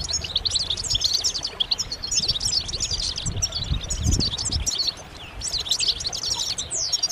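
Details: European goldfinches singing together in a dense group chorus, meant to stimulate males to sing; rapid twittering, tinkling notes tumbling over each other almost continuously, with low rumbling noise underneath and a brief lull near the end.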